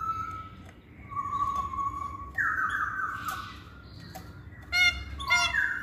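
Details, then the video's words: Masked laughingthrush lure recording meant to prompt reluctant males to sing. Long flat whistled notes at steady pitch, then a louder burst of sharp chattering notes near the end, over a low background hum. "Poksay Hongkong Jantan Manapun Pasti Nyaut Saat Dengar Pancingan ini"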